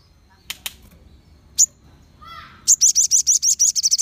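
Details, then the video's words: Group of crimson sunbirds, the song meant to make other sunbirds reply: a few sharp clicks and a short rising note, then a loud, fast series of high, thin ringing notes. "Sogon Ombyokan Pasti Langsung Nyaut Dan Gacor"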